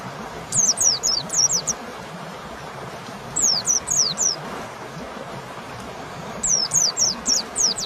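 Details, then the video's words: White-eye training song meant to prompt a lazy home-kept bird to sing: bursts of high, thin, descending whistled notes, five or six in quick succession, separated by pauses of about two seconds over a low background hum. "Masteran pleci malas bunyi yang dirumah paati nyaut"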